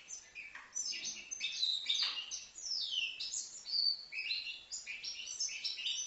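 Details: Young goldfinch, five months old, recorded in Livno, singing a steady stream of rapid twitters, tinkling chirps and buzzy slurred notes without a pause.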